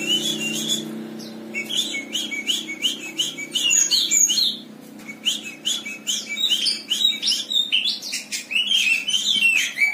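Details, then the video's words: Java sparrow, a competition-trained bird, singing a fast run of short sharp chirps and clicking notes repeated several times a second, with bursts of tinkling high whistles and a short pause midway. "GLATIK BAHAN .. MENTAL JUARA"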